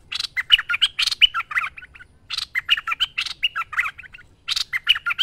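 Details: Bulbul singing keenly, recorded as a training master: three similar bouts of loud scratchy chirps followed by quick, looping warbled notes, with short gaps between bouts.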